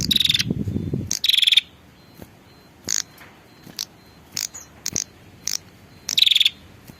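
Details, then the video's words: Female prinia calling to the male, used as a lure sound. Short, dry, buzzy rattling bursts come at irregular intervals, mixed with brief sharp clicks and a low rumble at the start. "suara pikat burung prenjak betina memanggil jantan"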